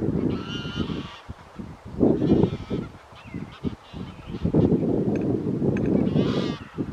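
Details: Wild white-fronted geese in winter at Wimpole Hall, Cambridgeshire, 17 December 2020. Several birds give clear, rising and falling yelps with a nasal tone, overlapping in bursts over heavy low rumbling and wind buffeting.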